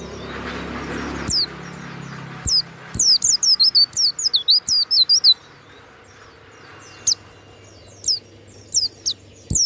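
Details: Banyuwangi-type warbling white-eye kept as a songbird for its loud 'ngeplong' voice, giving a rapid run of sharp, high, downward-curling whistles, then scattered single notes after a pause; soft background rumble at the start.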